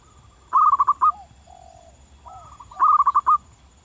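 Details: A local zebra dove sings vigorously in the wild: two loud phrases of rapid, stuttering cooed notes, separated by a softer, lower drawn-out coo and a faint rising note.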